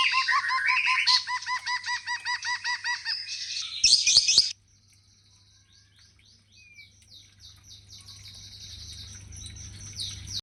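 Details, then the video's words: White-rumped shama song of rapid, evenly repeated looping notes for about three seconds, a brief rustling clatter, then faint high trills and chirps over a low background hum. "Murai ekor panjang nagen"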